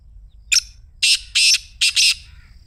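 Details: Harsh excited 'masti' call of a Black Francolin, meant to get a kept francolin calling: a short sharp note opens the phrase, then two long grating bursts and a final close pair of buzzy notes.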